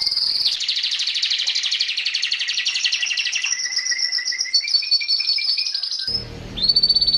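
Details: Masteran canary song made of a long, rolling, buzzy trill with steady whistled tones, cut off near the end by a burst of broad noise and a short high note.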